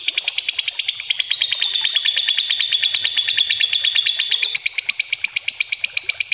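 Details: Lovebird in a long ngekek trill used as a lure, a loud, continuous, rapidly pulsed chatter with a whistled tone that dips slightly and then lifts higher near the end.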